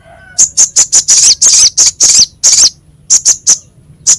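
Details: Harsh-voiced crescent-chested babbler used as songbird training material. Quick bursts of raspy, buzzy high notes come in an irregular run, pause briefly, then return as a few spaced notes.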